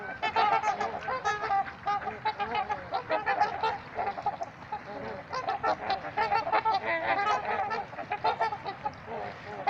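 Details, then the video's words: Trumpeter swans at Gallup Park in Ann Arbor, Michigan, making a continuous chorus of honking, nasal calls, several birds overlapping in dense repeated bursts throughout. "Trumpeter Swans Making Some Noise"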